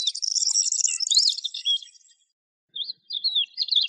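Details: Lark song: a dense, buzzy, high twittering rush for two seconds, then silence, then short bursts of slurred whistled notes.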